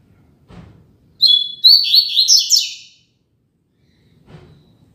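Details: Double-collared seedeater giving the Tui Tui Zel Zel classic song for training young birds: a brisk, nearly two-second series of bright, high, stepping notes, with faint knocks before and after.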